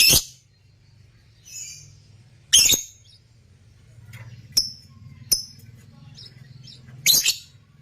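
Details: Breeding Parblue African lovebirds produce loud, harsh chirps at irregular intervals mixed with thinner, whistled high notes, over a low steady hum in the background.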